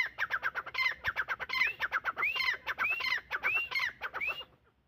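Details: Francolin (teetar) calling in a loud, rapid stream of harsh notes mixed with rising, arched squeals. The series runs about four and a half seconds before stopping abruptly.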